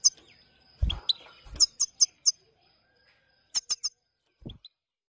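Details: Himalayan Maike goldfinch calling in a fast run of four bright chirps, then a brief trio of similar notes after a pause, with a soft thud and rustle before and a faint continuous high tone.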